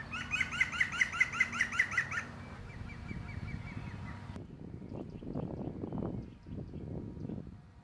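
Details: In spring, a European green woodpecker gives a loud, ringing laugh of about nine quick, even notes, then fades into fainter calls over low rumbling wind noise.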